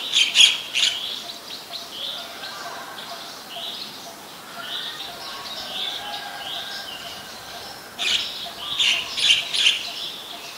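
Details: Ashy woodswallow, very common resident at Ubon Ratchathani, Thailand, 14 December 2019: bursts of sharp high chirps open and close the passage, with softer twittering notes and faint lower calls between, amid constant hiss.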